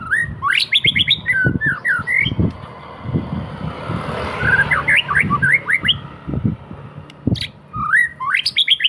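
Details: Domestic white-rumped shama singing bursts of quick rising whistled notes and high chirps between short pauses, while repeated low thumps and passing vehicle noise sound underneath.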